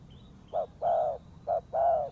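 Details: Two quick coo pairs from a spotted dove used to lure birds for trapping, each a clipped short hoot followed by a fuller, longer hoot.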